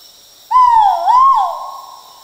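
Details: A male Great Argus calling in tropical rainforest in Danum Valley Conservation Area, Sabah, Borneo: one loud, clear, two-part hooting call, a ringing note that dips and rises again, then fades away.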